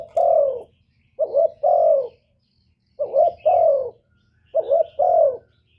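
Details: Lure cooing of a decoy spotted dove, used to provoke wild doves: three two-part phrases of a short wobbling coo and a longer descending coo, evenly spaced, with a quiet low background hum.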